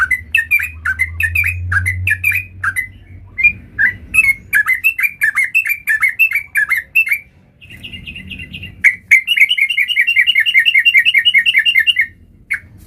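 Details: Sooty-headed bulbul singing vigorously with full variation; bubbly, slurred whistled phrases repeated rapidly, then a steady run of quick even chirped notes near the end, with a low rumble in the background early on.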